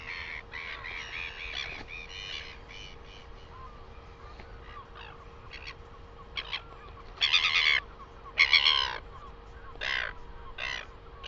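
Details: Northern royal albatross recorded in New Zealand, dated 12 08 2020: harsh, braying bursts of about half a second, the loudest three close together near the end, over softer scattered calls and a steady low mechanical hum.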